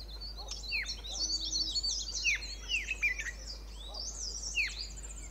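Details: Pair of White-cheeked Bulbuls perched on a shrub at a sanctuary at Pari Tibba, Motidhar, calling; clear downward-swooping whistles mixed with a chatter of higher twittering notes from other birds, steady background hiss.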